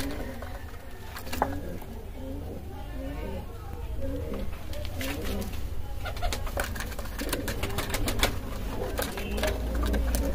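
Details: Low, rolling coos from a Kalsara pigeon, short phrases repeated again and again, with clicks, knocks and faint human talk around them.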